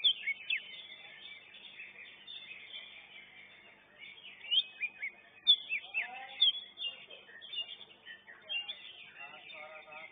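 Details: Competition greater green leafbird pouring out a fast, varied medley of sharp whistles, slurred notes and chattering trills in uneven bursts, with lower warbling from other birds and crowd murmur behind.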